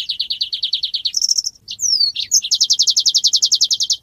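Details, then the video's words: A golden-headed weaver in full song gives a rapid, high chattering song of fast buzzy trills of repeated notes, broken by a few sharp swept whistles, then another long rattling run. "SUARA BURUNG MANYAR GACOR"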